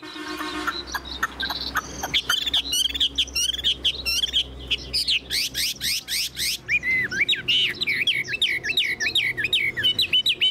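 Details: Chinese hwamei, a caged bird taken from the wild and about 95% tamed, shown fanning its tail; scratchy chatter builds into a fast series of rising whistled strokes, ending in clear looping phrases.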